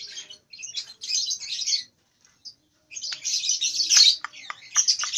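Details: Young lovebird about two months old attempting ngekek in nyeklek style; two short raspy chatter bursts, a pause of about a second, then a louder, longer scratchy run with sharp clicks.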